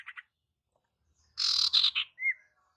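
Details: Female Ashy Tailorbird calling to attract males: two brief buzzy notes, silence, then a loud harsh rasping burst broken into three parts and a single clear upslurred whistle.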